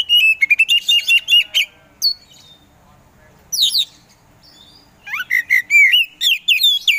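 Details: Oriental magpie-robin (kacer) in full song, loud, varied phrases of sweet whistles and rapid chirps in bursts with short pauses; used to provoke slow, reluctant magpie-robins into singing.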